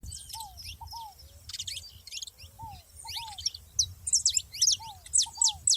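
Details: Saffron finches together in nature: a busy stream of high, sharp chirps and short slurred notes, growing louder toward the end, over a repeated low, down-slurred double whistle from another bird and a faint low rumble.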